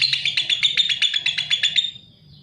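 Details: Lovebird singing a fast run of buzzy, harsh chattering notes around a steady high band, about ten pulses per second for two seconds, then trailing off into quiet.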